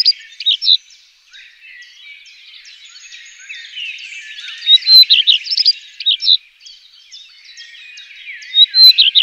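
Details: Common redstart singing: short bursts of high chirps and twittering phrases, the loudest near the start, middle and end, with a steady background of fainter overlapping bird notes.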